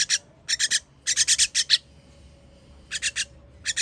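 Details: Young birds begging while being fed, 21 June 2023: fast runs of coarse rasping notes, a dense burst of six, then a pause before further short clusters.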